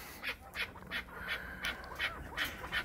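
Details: Chukar partridge from Krasnoyarsk, prompted by its owner, calls in a series of sharp, hoarse chuk notes, roughly eight in under three seconds, evenly spaced over a faint low hum.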